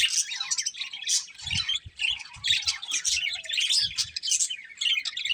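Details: Pet budgerigars fill the air with a steady flow of scratchy, twittering chirps and short warbles, several birds calling over one another, with faint low knocks in the background.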